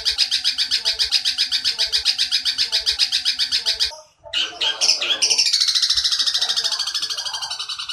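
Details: Long-tailed shrike tutor recording for young shrikes, mixing in a long sparrow-like chatter and other mimicry: a fast, scratchy run of high notes about two per second, then a gap and squeaky chatter ending in a long rasping trill.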